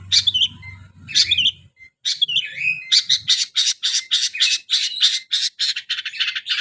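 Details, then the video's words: Long-tailed shrike imitating a canary: varied high twittering phrases opening the song, then a fast run of sharp repeated chirps, with a brief low hum at the start. "BURUNG CENDET SUARA KENARI"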